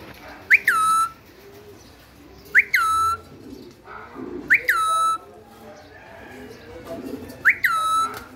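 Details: Pet ringneck parakeet repeating a sharp, whistled call: a quick rising-then-falling note that settles into a flat tone, given four times about every two to three seconds, over faint low background murmur.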